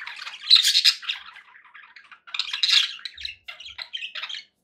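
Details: Cheerful pet budgies chirping: two bursts of scratchy, buzzy warbling with bright squeaks, then a few short chirps before falling quiet.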